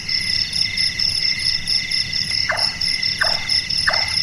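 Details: Large-tailed nightjar, locally called burung tukang, a night-active bird whose call is likened to carpentry, giving three knocking chonks in the last two seconds over a steady high chorus of crickets.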